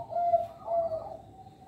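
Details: Local zebra dove singing, used as a lure for young birds; two soft, low cooing notes held steady, the second slightly longer, with faint background hiss.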